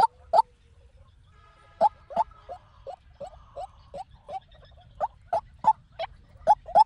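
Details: A white-breasted waterhen decoy call for trapping. Two loud notes open it, then a long pause, then a series of quieter, clipped notes that grow louder toward the end.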